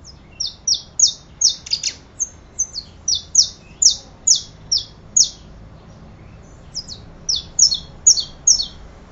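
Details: Saffron finch delivering a long run of bright, high chirps that slur downward, repeated about twice per second, pausing briefly midway and then resuming with paired notes.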